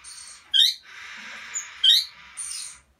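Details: Rubino-coloured Bourke's parrot recorded on 25 December 2017: two sharp, rising chirps with bright harmonics, about a second apart, over a steady broad hissing background.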